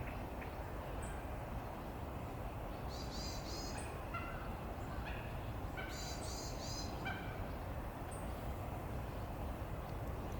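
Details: Mandarin duck, recorded 23 February 2020 with a camera and spotting scope: high, thin, stacked whistled calls in brief bursts, plus some lower short notes, set against heavy steady low background noise.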